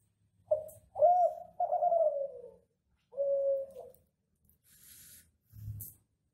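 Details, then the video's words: Kelantan ringneck dove, captive bird from an Indonesian breeder, its classic song used as a master to draw other doves to sing: a clipped note, then long mellow coos falling slightly, a pause and a final coo. "Masteran Suara Gacoran Derkuku Tekukur Kelantan Klasik"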